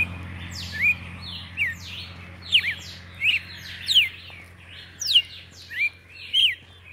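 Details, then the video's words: Red-cowled cardinal, a Brazilian bird whose song is heard at dawn, singing clear, sweet whistled phrases, each slurred up and down, about once a second over a low steady hum. "galo de campina é dono de um dos cantos mais belos do país podemos ouvir no amanhecer"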